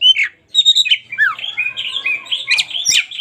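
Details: Local Oriental magpie-robin pouring out a fast, nearly unbroken warble of whistles and twittering slurs, with a low steady hum in the background.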